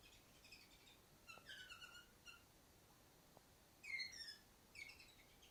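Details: Female canary sitting on the farthest cage, singing soft, scattered chirps. Brief clusters of clear, high tweets are separated by quiet pauses, then a louder slurred note and a final short chirp. The recording is faint and distant.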